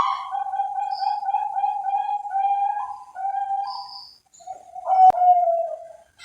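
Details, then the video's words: Bangkok-type zebra dove (perkutut) from an Indonesian breeding farm in Cilacap, Central Java, delivers a long rolling coo on one low pitch. A brief pause follows, then a louder, slightly falling coo with a sharp click. "SUARA PERKUTUT BANGKOK"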